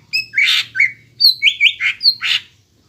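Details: Caged greater green leafbird in full song, used as a lure to get young birds singing: a varied run of harsh chirps and clear whistled notes, a burst of about ten phrases with quick buzzy and sliding elements.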